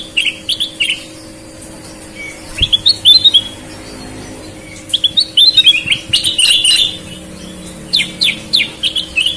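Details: Sooty-headed bulbul in active song, red-eyed and white-eyed birds compared: groups of quick chirped whistles delivered in several bursts with brief pauses, a faint constant hum underneath.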